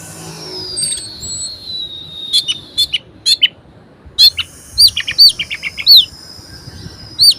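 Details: Orange-headed thrush, a caged bird in full varied song played to rouse lazy birds: a long falling whistle, then quick clicks and bright upslurred whistled notes repeated about every half second.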